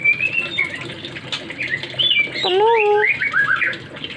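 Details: Kept oriental magpie-robin singing in the morning, said to sing when it hears water: varied high whistles and slurred notes, a lower drawn-out downward note, then quick bright phrases, with background noise throughout.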